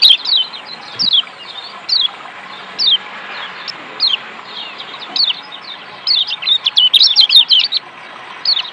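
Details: Lombok white-eye, known locally as kecial kuning, in a recording meant to spur quiet birds into song: spaced, sharp descending whistles roughly every second, then a dense burst of rapid twittering notes near the end over low background hiss.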